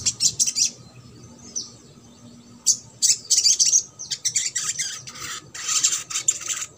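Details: Trotol song of a crimson sunbird meant to stir silent birds into singing: a quick twittering opening, a brief lull, then long stretches of dense, very high, scratchy chatter.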